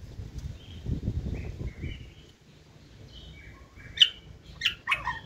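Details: White-rumped shama singing in the 'forest voice' style: soft, scattered whistles, then a few sharp, loud notes near the end, over low background rumble.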